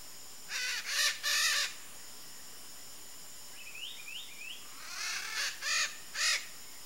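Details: Wild red-shouldered macaw giving loud, grating screeches. Two rasping calls come first, then a pause with a few soft rising whistled notes, then a faster run of four harsh squawks.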